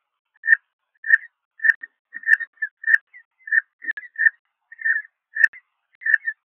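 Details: Peregrine falcon chick at Liempde, the second chick, newly hatched on 19 April 2021, cheeps steadily, giving short, thin, high peeps about every half second against a quiet background.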